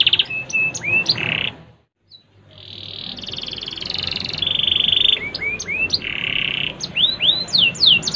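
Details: Canary of the Faba SF line from Pemalang, Central Java, Indonesia, giving high chirps and a buzzy note, a brief pause, then long sustained rolling and buzzing trills followed by quick rising slurred whistles.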